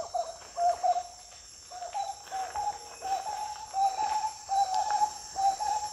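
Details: Rolling whistled calls of the marbled wood quail (Odontophorus gujanensis): a few separate hollow notes, then a faster chain of repeated phrases, set against a continuous high-pitched insect drone.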